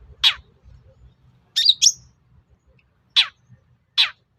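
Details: Long-tailed shrike lure sound for prompting other shrikes to reply: a rasping downslurred note, a pair of squeaky twisting chirps, then two more harsh descending notes, with pauses between.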